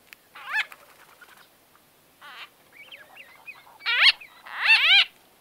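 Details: Close-up White-fronted bee-eater conversation: loud, throaty chirps that rise then fall, given singly and in clipped pairs with softer twittering between them, near-silent background.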